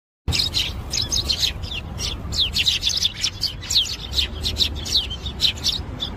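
Java sparrows give a rapid stream of high, sharp chirps and tinkling notes, overlapping as if several birds call together, over a low background rumble.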